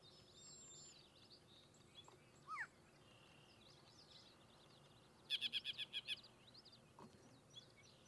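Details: A singing Yellow-breasted chat (Icteria virens), recorded at Goose Lake Prairie State Natural Area, Illinois, on 6-02-2023. A short rising slurred note is followed by a rapid dry rattle of about seven clipped notes, then a single sharp click, over distant chirping birds.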